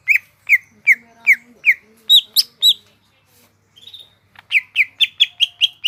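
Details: Greater green leafbird in lively gacor song: loud, clipped whistles repeated steadily, a brief pause with a faint thin note, then a faster run of bright chirps; a soft low murmur early on.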